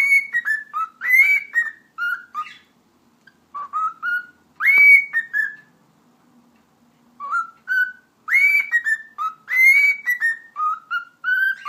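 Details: Talking pet cockatiel giving its whistle performance: bursts of ringing whistled phrases, each several rising and falling notes, separated by pauses of a few seconds, in a quiet indoor setting.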